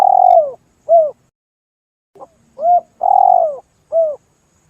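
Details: Spotted dove (Spilopelia chinensis) coo call, used as a lure recording: soft, mellow coos in pairs, a longer drawn-out note dipping at the end, then a short rounded one, with no other sounds.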